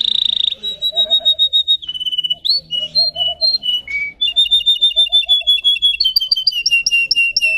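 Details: Singing Russian canary, a breed kept for song of many high variations, delivering a long whistled phrase that steps between held tones, then a fast stuttering trill of clipped notes continuing to the end.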